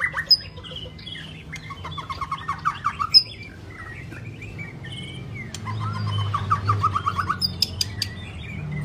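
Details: White-rumped shama in a song-training recording: varied scratchy trills and chattering runs with occasional sharp high clicks, a pause midway, then a rapid rising series of short notes over low hum.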